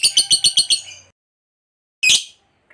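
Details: Lovebird chattering to call companions: a short burst of six quick harsh notes, a pause, then one loud shrill squawk and a faint final chip.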